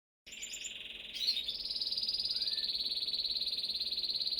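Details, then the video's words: A canary sings a bright, high rolling trill: a brief buzzy phrase, then a fast steady string of pulsed notes, roughly three or four a second. "beautiful canary singing"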